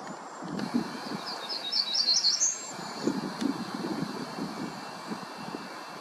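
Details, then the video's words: Black-throated grey warbler singing nearby: a short series of high, buzzy notes run together over about a second and a half, ending in a sharper upward flourish, above a steady low rumble of distant traffic. "Black throated Grey Warbler"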